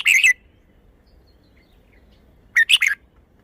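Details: Red-whiskered bulbul singing in a cage as a song display: a brief bubbly phrase at the start, a long pause, then a second loud phrase of three quick, jumping whistled notes.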